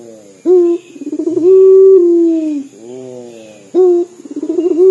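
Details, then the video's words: Crying-sounding call of a local puter dove that calls often: a short sharp note, a rolling stuttered lead-in, then a long drawn coo that sinks at the end. The sequence starts again near the close. "PUTER LOKAL GACOR DOR SUARA SEPERTI MENANGIS"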